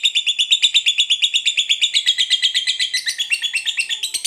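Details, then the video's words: Fighter-type lovebird in extended ngekek: a fast, regular rattle of high, buzzy chattering notes, about seven per second, growing slightly more varied and squeaky toward the end. "SUARA BURUNG LOVEBIRD NGEKEK PANJANG NGOTOT TAMPIL FIGHTER"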